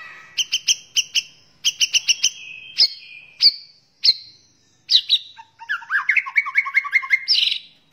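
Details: White-rumped shama (murai batu) singing a rich gacor training song: groups of sharp repeated chips, single clear whistled notes, then a rapid rising-and-falling chattering phrase.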